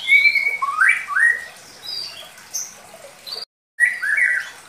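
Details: White-rumped Shama of the Medan type singing a simple lure song meant for young birds. Opens with a flat whistle and quick upward slurs, then thin high notes, a brief silent gap, and a final burst of mixed whistles.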